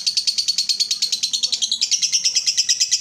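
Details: Lovebird fighter in ngekek song, played to stimulate other lovebirds to sing: a rapid, buzzy chattering trill of about six notes a second throughout, stepping up slightly in pitch halfway through.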